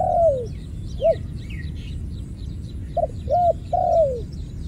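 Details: ['Ground dove cooing where two were trapped and one escaped: a long falling coo, a lone short note, then a quick pair and a longer sliding coo, with scattered chirps of other small birds and a low background rumble.']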